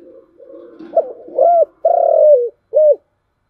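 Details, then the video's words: Single phrase from a spotted dove in 'thổ chiêu gù' voice: soft rumbling lead-in, a short upswept coo, a long slightly falling coo and a crisp short last note. Background silent. "cu gáy/ cu gáy giọng thổ chiêu gù"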